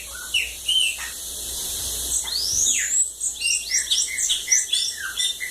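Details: Bananaquit from Lagoa d'Água, Brazil, delivering a fast, buzzy string of high zigzag notes after a few separate chips.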